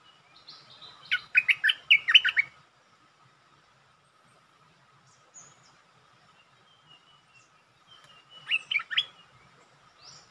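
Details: A decoy bulbul sings to test a resident territory owner. A lively run of chirping, warbled notes is followed by scattered faint calls, then a second, shorter chirping phrase about six seconds later.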